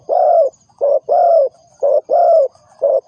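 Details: Spotted dove call used as a decoy lure for trapping: low, mellow coos in steady pairs, a short clipped note followed by a longer drawn-out croo, repeated about once a second over a faint high hiss.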